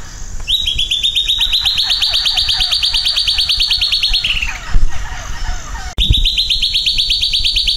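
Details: Song of the silvered antbird (Sclateria naevia): a rapid, ringing trill of many identical notes that climbs gently in pitch for about four seconds before sliding down. After a short pause with a clunk, a second trill begins.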